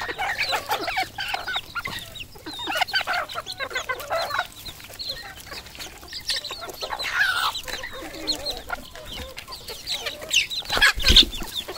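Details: Red junglefowl at a farm in Cambodia: a dense chorus of high, thin, down-curving peeping notes mixed with short clucks and harsh bursts from many birds calling over one another.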